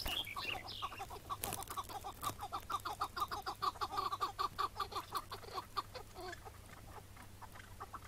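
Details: Chukar partridge on a May 2017 morning during capture, afterwards freed where caught. A fast rhythmic series of clucking chuk notes builds into steady pulses, roughly two per second, before fading out; a brief scratchy noise comes early.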